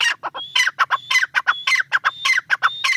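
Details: Calling tetar (partridge): a continuous run of loud, grating notes. A bright whistle slides upward in each phrase, and the pattern repeats about twice per second for three seconds against a faint low hum.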